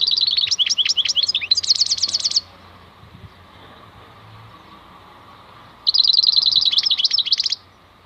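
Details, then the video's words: Two loud bursts of song from a wild European goldfinch (maknine khalwi): chattering chirps blend into a rapid, harsh, buzzy trill. The bursts are separated by about three and a half seconds of quiet background hum. "MAKNINE KHALWI super chant"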